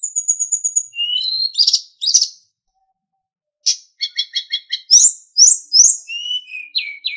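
A sulingan sings high, thin whistles and sharp rising notes, then a quick run of buzzy repeated notes with sweeping whistles, broken by a short silence.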